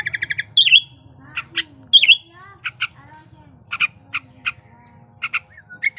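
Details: A sooty-headed bulbul in breeding condition sings to stir quiet birds. A quick rattle comes first, then sharp up-slurred whistles and spaced double notes that return irregularly, over a soft low hum.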